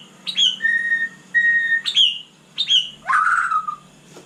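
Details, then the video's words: Night song of a white-rumped shama: sharp upward notes alternate with steady whistled tones and a drawn-out falling whistle, phrases separated by short pauses. "Kicau malam murai batu super GACOR"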